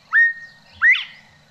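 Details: A Northern Bobwhite gives its two-part whistle, which sounds like its own name: a short rising note, then a louder, sharply upslurred whistle, clear and carrying, with nothing else heard.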